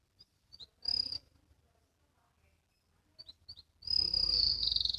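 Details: Young canary learning to sing in the ngriwik style: a few short, high chirps and thin notes, then a loud, sustained high-pitched trill buzzing steadily to the end, with a quiet background between phrases.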